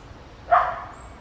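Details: Colombian yellow-headed amazon searching for a nest to breed: one short harsh squawk, hoarse and abrupt, fading quickly, with faint background hiss.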